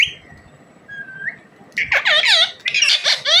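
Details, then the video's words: Rose-ringed parakeet, a pet ringneck, vocalizing: a thin faint whistle, then loud rasping squawks and harsh chattering notes in quick bursts, rising and falling sharply. "parrot bird talking,desi parrot ki boli"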